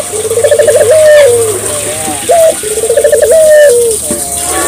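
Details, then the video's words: Barbary dove singing to encourage local doves to join in: two low purring coos, each a quick tremolo then a sustained falling note, with a short sharp note between them. "suara burung puter gacor,merangsang burung puter lokal ikut gacor"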